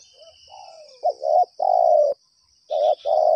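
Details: Spotted dove answering a decoy during bird trapping, calling from two yards: a run of mellow, hoarse coo notes, some short and wavering, others long and level, over a steady high insect-like hum.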